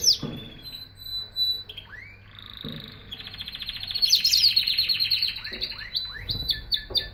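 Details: Canary singing: a varied run of high whistled notes, sweeping slides and fast trills, with a bright rapid rattle in the middle and falling chirps near the end.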